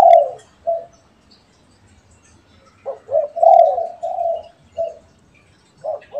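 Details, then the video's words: Calling between pet and wild spotted doves: soft low coos, two short notes and a longer warbling one, repeated after a silent gap. "SUARA BURUNG‼️ DERKUKU PIARAAN VS DERKUKU LIAR BERSAHUTAN_MERDU SUARANYA"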